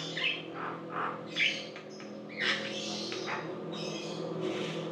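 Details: A Javan myna (jalak kebo) in full song, used as a lure to prompt other mynas, gives a busy run of harsh squawks, chattering notes and whistles over a steady low hum.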